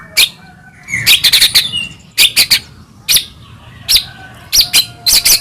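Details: Morning white-rumped shama, meant to prompt a pet bird to sing: short scattered clusters of high scratchy clicks and chips, softly spaced.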